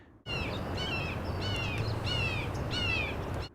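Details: Red-shouldered Hawk calling in the morning over a park path near houses in San Diego, California, identified by the Merlin app: four loud, high, down-slurred screams, about two per second, over a low background rumble.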